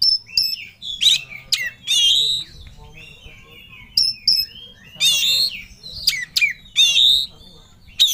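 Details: Kacer, the Oriental magpie-robin, singing with full emotion as if looking for a rival: clear whistles alternate with harsh, buzzy sweeping bursts in irregular phrases, punctuated by brief silences over a low background hum.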